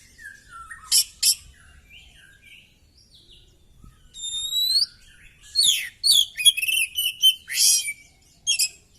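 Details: Kacer (Oriental magpie-robin) fighting with spread tail: low descending whistles, two sharp harsh bursts, a paired rising whistled phrase, then a fast cascade of mixed chirps, buzzes and slurred notes.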